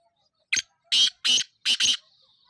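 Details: Black francolin calling in the evening: a harsh, grating series of loud rasping bursts, one short note followed by three longer ones within about a second and a half, in quiet surroundings.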